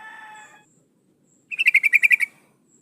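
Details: Sooty-headed bulbul female in breeding condition calling to the male. A brief harmonic tone comes first, then a single quick burst of about eight pulsed chattering notes.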